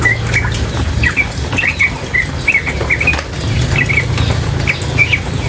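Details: Over patter-like water noise, a female sooty-headed bulbul gives lively, slightly buzzy high chirps, some doubled, scattered irregularly across the stretch with short pauses between groups.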